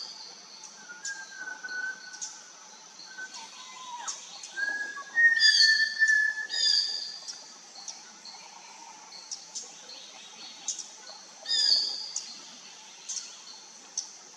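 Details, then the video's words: Malabar whistling thrush (Myophonus horsfieldii), India, giving loose, human-like whistles that glide up and down, among a busy chorus of thin, high chirps from other birds and a faint steady hum. "The Malabar Whistling Thrush call"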